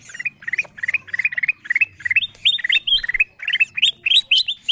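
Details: Kutilang emas bulbul lure sound used to call down wild birds: quick bursts of bright chirping notes, each run rising in short steps, repeated about twice a second throughout; no other clear sounds.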